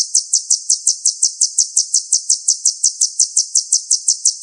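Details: Kolibri ninja sunbird used as a singing tutor for other songbirds: an evenly paced series of piercing high notes, roughly three each second, continuing without a break.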